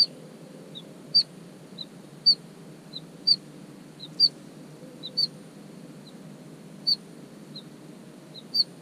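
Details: A Bluethroat in nettles on 23 June gives sharp, high ticking notes about once a second, each paired with a softer, slightly lower note, against a quiet background.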